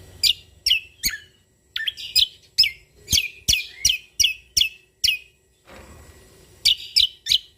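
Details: Sumatran leafbird known as cucak kombo Lombok in spirited song with natural-style phrases. Rapid sharp falling whistles come in a steady series of about three per second, broken by a brief noisy pause before the whistles resume.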